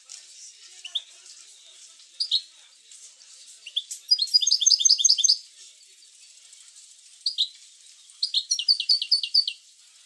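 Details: Goldfinch singing bitbita-style song used to stimulate other goldfinches: scattered high chirps build into two quick runs of sharp repeated notes, with gaps of soft background hiss between phrases.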